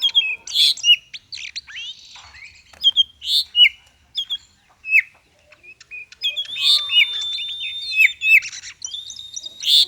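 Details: Konslet-style Oriental magpie-robin song for coaxing silent birds to sing: separate bursts of sharp whistles and scratchy notes with short pauses, turning into a busier run of whistled, buzzy phrases toward the end.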